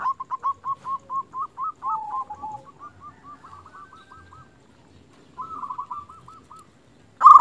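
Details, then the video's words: Local zebra dove calling to provoke other doves into answering. Long series of soft, quickly repeated coo notes slowing into a gentle trill, a louder rolling phrase, then a sudden loud note at the end. "Perkutut lokal gacor Raja pikat ini ahlinya bikin burung perkutut lain gacor nyaut"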